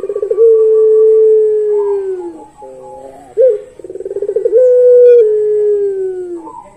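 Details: Barbary dove (Streptopelia risoria), long coo.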